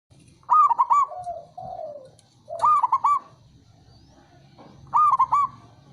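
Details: Male zebra dove (perkutut) call used to lure birds and get silent ones singing again: three bursts of rapid, trilled coos, each phrase of quick stuttering notes followed by a lower drawn-out coo, about every two and a half seconds.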